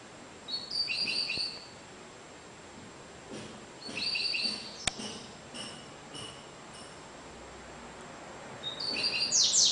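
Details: Sporophila caerulescens, the double-collared seedeater, giving cigano-style song averaging 30 per minute: short high thin phrases spaced several seconds apart, a sharp click midway, and a louder burst of high sweeps at the end.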